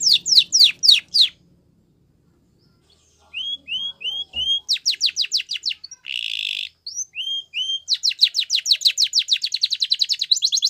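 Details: Spanish Timbrado canary training song with fast descending notes, a brief silence, soft rising whistles, a buzzy burst and a long rapid metallic trill.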